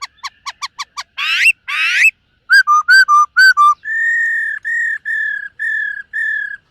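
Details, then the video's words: Morning voice training by a singing, dancing black-throated laughingthrush. A fast series of short clipped notes leads into two long raspy rising bursts. Bouncing whistles and five steady, clear whistled notes evenly spaced follow. "Khướu BẠC MÁ hót MÚA luyện giọng . Khướu hót sáng luyện giọng kích bổi"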